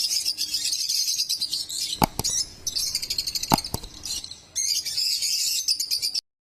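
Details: High, harsh lovebird chattering and chirps in busy bursts, with a few sharp knocks or wing-flap thumps around the middle, a quieter stretch, then renewed chatter before ending abruptly.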